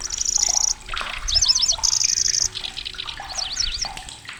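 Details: Grasshopper warbler, a migrant arriving in Indonesia, known for a loud, shrill voice with rasping runs and sudden bursts. High, level reels alternate with quick zigzag whistled phrases, repeated several times, over faint background noise.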